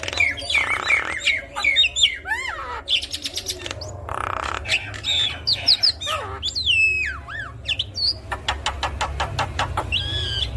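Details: Javan myna in full varied song, used to prompt other mynas to sing: rapid mix of harsh noisy bursts, looping whistles and falling slurs, then a run of short evenly spaced clicks, over a steady low hum.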